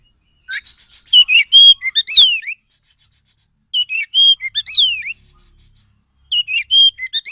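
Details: Wild Oriental magpie-robin song used as a trapping lure to provoke quick, agitated replies: three loud whistled phrases, each about two seconds long, with rising and falling slurred notes and sharp chirps, separated by short silences.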